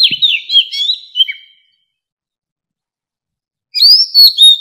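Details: Oriental magpie-robin, an old wild bird, singing to lure wild birds: a clear, high whistled phrase with tumbling slurred notes, then about two seconds of silence before a fresh burst of loud, rising whistles.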